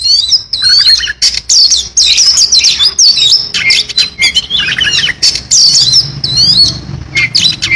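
An Oriental magpie-robin sings a loud, continuous stream of varied whistles, chips and rapid twittering phrases, packed with borrowed notes and delivered with barely a pause.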